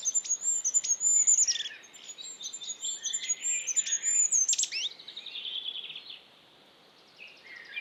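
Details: Goldcrest song from Estonia: a thin, very high-pitched series of quick repeated notes rising into a short twittering ending, repeated, with soft background noise.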